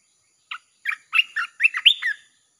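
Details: Red-whiskered bulbul song played to lure wild birds: a loud phrase of short, bright chirped notes, rising and falling whistles bunched quickly together, opening with a single note then a rapid run, over a quiet background.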